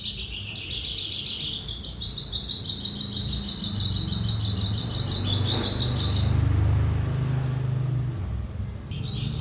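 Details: Lark singing in 'trotolan' style, a sustained stream of fast, buzzy high chatter for about six seconds that ends in a few sharper notes, followed by low rumbling noise and a brief final burst.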